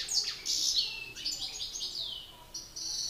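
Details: Singing contest between male European goldfinches: dense, liquid twittering and rapid chirps with a few sliding, descending notes, almost continuous.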